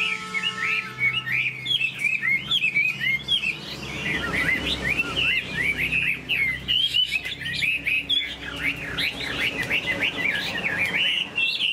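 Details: Chinese hwamei fanning its tail and flicking its wings while singing a loud, rich run of rapid rolling whistles and warbled phrases, sweeping up and down without pause, over a faint hum.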